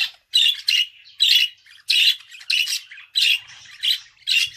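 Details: Budgerigar giving rapid harsh squawks and chatter, about one burst every two-thirds of a second, continuous throughout.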